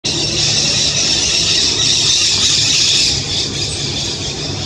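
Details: White-eyed Parakeets in the Brazilian Amazon in a dense, harsh chorus of overlapping screeches, about four a second, forming a steady high-pitched din with little pause.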